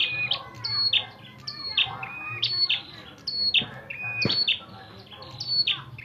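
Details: Red-headed prinia fighting, a run of high chirping notes and brief whistled tones, stepping down in pitch, repeated about once per second with a click and low hum.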